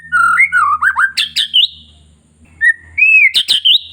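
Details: Long-tailed white-rumped shama singing a lure song meant to excite other shamas into singing: rich slurred whistles rising and falling, then sharp ticking clicks and high twisting notes, a brief pause, and a rising whistle before more clicks, over a faint low hum.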